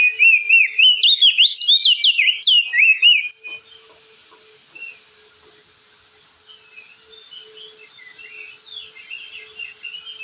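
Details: Crested darkeye singing actively: a fast run of loud warbling, whistled phrases jumping up and down for about three seconds, then only faint scattered chirps over a steady low hum.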